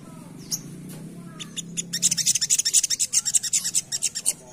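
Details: Asian pied starling in ngerap style, recorded for luring other birds: a few scattered whistles, then a fast run of sharp, scratchy high notes repeated about two to three per second, with a low background hum.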